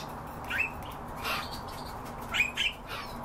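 European bee-eater giving short, rolling, liquid calls in a few brief bursts, two close together near the end, over a soft steady background hiss.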